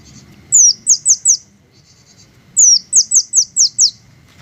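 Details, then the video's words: Green hummingbird giving two bursts of rapid, very high falling squeaks, four then six notes, separated by a faint buzzy pause, over soft low background hum. "the melodious sound of green hummingbirds"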